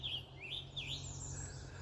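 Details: A red male Scarlet Tanager calls on a Wednesday morning in Maine, giving three or four quick, slurred, high whistled notes that swing up and down, over a steady low rumble.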